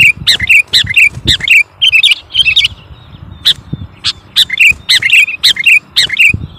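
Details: Gacor sooty-headed bulbul singing to dominate an opponent, delivering clustered chirpy whistled notes in uneven bursts with short pauses and a thin high whistle between phrases.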